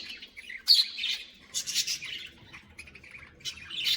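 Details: Caged colony of budgerigars chirping: several bursts of bright, scratchy high chirps and squawks that overlap irregularly, with short quieter gaps between them.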